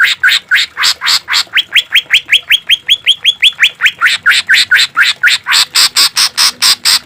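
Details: Green leafbird song for training and therapy of caged birds, with harsh 'shot' phrases: harsh rasping notes, then a smooth run of clear rising whistles, then harsh repeated bursts again, all evenly fast.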